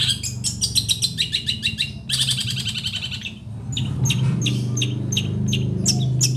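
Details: Long-tailed shrike from Situbondo delivering rapid, rattling high notes for three seconds, followed by sparser sharp chips over a growing low rumbling background hum.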